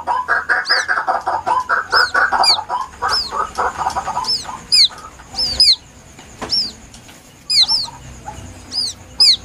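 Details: White-breasted waterhen chick calling plaintively, recorded for use as a lure: a run of thin, high down-slurred peeps repeated rapidly, often in quick pairs, with a dense pulsing chatter underneath during the first half.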